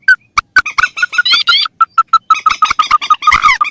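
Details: Rail and crake lure recording, mandar versus tikusan: a steady run of clipped mid-pitched notes about every fifth of a second, with a brief rising whistled burst and dry clicks mixed in.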